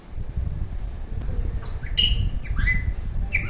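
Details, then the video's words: An Alexandrine parakeet gives four or five short, harsh, squawking calls in quick succession over a steady low rumble of background noise. "Alexander Parrot Making different sounds"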